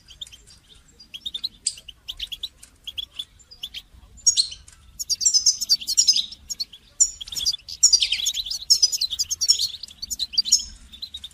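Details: Goldfinch training song that starts with sparse chirps and builds into a long, continuous, rapid twitter of bright, buzzy and tinkling notes. There is a faint low background hum.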